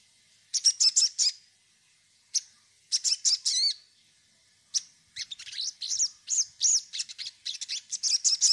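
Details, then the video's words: Sogon song used as a lure to make other birds sing: fast runs of high, sharp chirps and twisting whistled notes in bursts, growing into a near-continuous string of repeated chirps toward the end. "pancingan sogon bahan agar bunyi"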